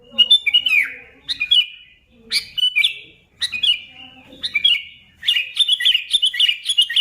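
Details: ['Sooty-headed bulbul song played to excite other bulbuls: separate short phrases of bright slurred notes about once a second, closing with a sustained fast chatter.']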